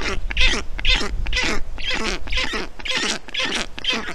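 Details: Black stork chicks calling from their Estonian nest on a hot day in June 2021 while a parent brings wet moss and water; loud, buzzy, rhythmic calls about twice per second, with low rumbling underneath.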